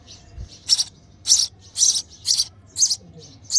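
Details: Nestling sparrow begging while its mother feeds it: six loud, shrill chirps at a quick, steady pace about twice a second, with faint chirps in between.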